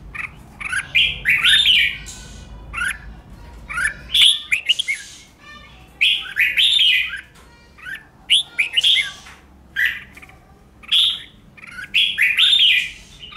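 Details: Red-whiskered bulbul in competitive song, used to train caged birds for singing contests: bright, rolling warbled phrases repeat every one to two seconds, some with harsh buzzy edges, and short pauses fall between them.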